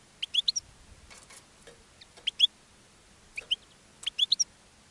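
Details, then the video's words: A European goldfinch sings from a cage while drawing in other goldfinches, giving clusters of sharp high tinkling chirps and twitters in short bursts separated by brief pauses. "GOLDFINCH SINGING in a Cage and Attracting Other Goldfinches"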